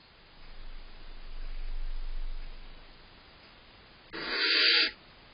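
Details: Barn owl owlets tussling over prey delivered by their father on July 19th, the smaller, younger one fighting for its share; after low rumbling, a single harsh, broadband hissing screech bursts out for under a second near the end.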